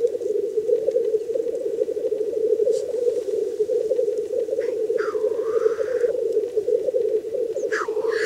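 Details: Black grouse at a lek in the wild during mating give a steady, low bubbling coo without pause, broken twice by a harsh, rising hissed sneeze.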